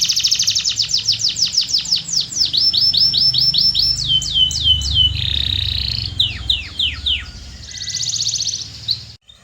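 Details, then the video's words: Canary song that opens with fast high trills, moves into slower repeated downward sweeps and a short flat tone, then sharp falling notes, and ends in a buzzy rolling trill over a low steady hum. "REAL Canary Singing"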